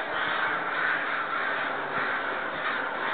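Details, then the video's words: Neighbourhood crows cawing loudly and continuously, seemingly agitated or upset about something, heard from a back deck; harsh overlapping caws from several birds run together in a dense, unbroken chorus. "Crows seem upset"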